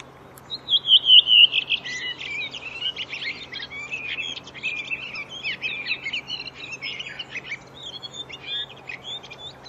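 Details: Redwing song opening with a run of loud, descending whistled notes, then breaking into a long, rapid, scratchy twitter of varied chirps that fades gradually; the setting is quiet apart from a faint steady hum.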